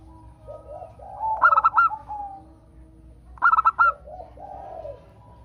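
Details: Local zebra dove singing as a prompt for other doves: two phrases of four to five clipped, ringing coo notes, with softer low rolling sounds before and after each phrase.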